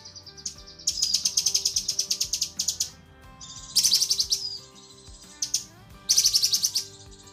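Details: A female cucak kinoi calls her male in this training recording: a long burst of fast scratchy chatter, then two shorter shrill bursts after quiet pauses, with a faint thin whistle between, above low background hum.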